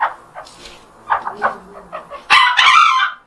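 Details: Morning rooster crow, a call tied to anticipating sunrise. Soft clucks and scratchy noises come first, then one loud, harsh, drawn-out cock-a-doodle-doo lasting about a second.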